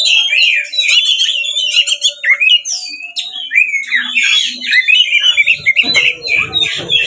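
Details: Aggressive 'ngeplong tarung' fighting song of a kacer (Oriental magpie-robin), meant to make other magpie-robins sing back and open their tails: continuous rich warbling of sliding whistles mixed with rasping notes, a steady faint hum, and some low rustling near the end.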